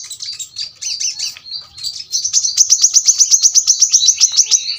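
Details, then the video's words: Brown-throated sunbird song opening with softer twittering phrases, then breaking into a fast, regular train of sharp high chips, about four per second. "kolibri kelapa | manggar | wiceh | tembakan rapat super tajam masteran burung korlap bahan"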